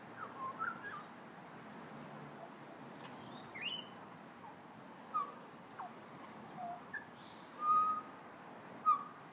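Magpie giving brief whistled notes and a few sharp clicks at irregular intervals, over steady background hiss.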